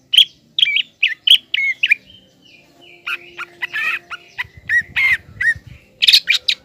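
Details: Lively singing green leafbird, played to provoke a young spotted leafbird into a fighting mood: bright whistled and chattering notes around mid-high pitch in quick bursts, with short pauses and a faint low hum underneath.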